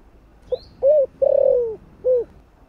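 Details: Spotted dove in the 'thổ' song style, used to trigger wild doves. A single phrase of a brief note, a short coo, a long buzzy falling coo and a final coo. A thin high chirp from another bird is heard early on.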